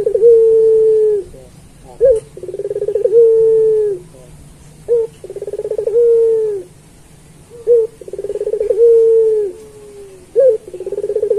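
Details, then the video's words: Puter pelung turtle dove song for training other pelung doves: about four repeated phrases, each a short rising note, then a quick rolling trill merging into a long, loud, steady coo. "Suara Burung Puter Pelung Masteran"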